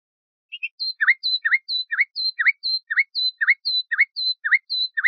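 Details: Common nightingale song (Luscinia megarhynchos) compiled for teaching bulbuls: rapid repeated phrase of a high tick followed by a dipping V-shaped chirp, about two per second, on a clean silent background.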